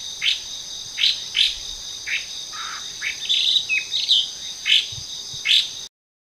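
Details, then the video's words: Chinese hwamei (Garrulax canorus) singing in a forest: clear, varied whistled notes in short bright phrases about every half second to second, over a steady high insect drone. "The Melodic Symphony of Hwamei Birds"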